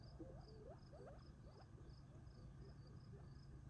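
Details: Gambel's quail flock feeding near Tularosa Creek in July, eating before retreating for the night; soft, short rising chirps overlap in quick succession over a low rumbling hum, with a steady pulsing high insect buzz behind.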